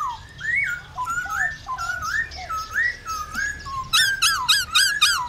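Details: Song of a black-throated laughingthrush, played to make kept birds sing. Slurred, undulating whistles wander up and down, ending in a rapid series of bright, ringing, harmonic notes.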